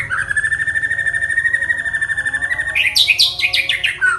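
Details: White-rumped shama in full song: a long rapidly trilled, wavering whistle held at one pitch for nearly three seconds, then a burst of higher sharp rising and falling notes, with a low steady hum beneath.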